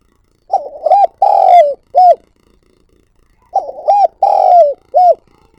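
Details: Captive lure spotted dove calling repeatedly, recorded directly. Two identical phrases about three seconds apart. Each has a quavering start, a rounded coo, a long fluttering croo that falls, and a short arched final note. Quiet between phrases.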